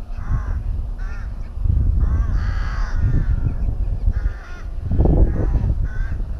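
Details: Rook at its nest within a colony at Tyrnovo, giving clear, harsh drawn-out caws in short bursts, one longer grating call in the middle, with wind rumbling underneath.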